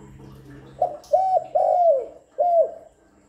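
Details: Spotted dove luring call, played continuously to stimulate doves: a clipped opening note, then a rounded coo, a long sliding coo and a last short coo in quick succession, clear and close against a quiet background.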